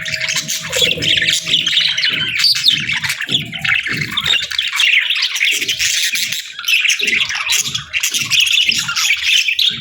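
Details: Budgerigars chatter busily, high scratchy warbles and squawky chirps overlapping, over a steady faint tone and repeated soft low pulses like gentle tapping.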